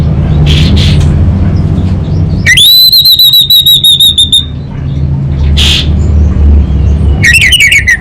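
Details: Orange-headed thrush singing in kabel konslet then ngeplong style: a long, clear, level high whistle held for about two seconds, broken into fast pulses, with a quick rattling flurry near the end and a low hum throughout.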